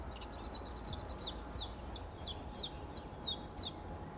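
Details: Ten evenly spaced, thin, high notes that each drop sharply in pitch, repeated about three times a second by a common chiffchaff against a quiet background.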